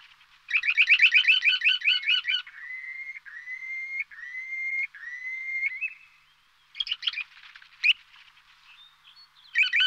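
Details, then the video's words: Purple sandpipers give a fast, scratchy chattering trill, then a string of clear, slightly rising whistled notes about a second apart, with more brief chattering bursts near the end. "Purple Sandpipers Chirping"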